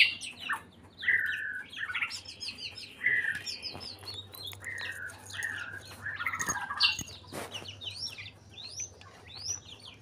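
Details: White-rumped shama in breeding condition delivering a dense, rich song of quickly alternating whistles, trills and slurred notes, high and low, almost without pause for ten seconds.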